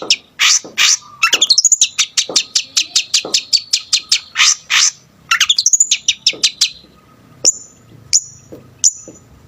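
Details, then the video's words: Lively Long-tailed shrike with a rich repertoire, song used to agitate other shrikes: dense rapid chirps and rising sweeps, harsh rasping notes, ending with a few spaced thin high whistles. "BURUNG CENDET GACOR FULL ISIAN,SUARA COCOK BUAT EMOSI CENDET LAIN"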